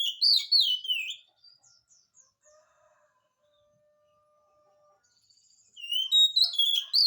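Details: Oriental magpie-robin in full song, used to prompt quiet magpie-robins to reply: loud, rich whistled phrases with sliding, warbling notes open the recording, then a near-silent gap with faint steady tones, before a fresh burst of bright varied whistles.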